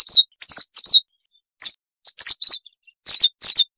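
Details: Varied chattering song of a Siberian rubythroat, a small insect-eating songbird, in a noise-reduced recording: dense bursts of high, buzzy, slurred chirps in three clusters, separated by brief pauses.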